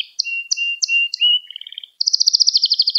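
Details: Domestic canary song meant to teach young canaries: short upslurred notes over a steady whistled tone, a brief rattling passage, then a rapid, evenly pulsed high trill.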